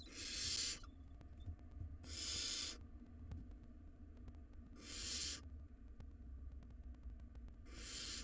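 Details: Barn owl nestlings, wild, in a monitored nest box, fighting over a large rodent. Four rasping hiss-screeches, each under a second, come roughly every one and a half to three seconds, with a low hum underneath.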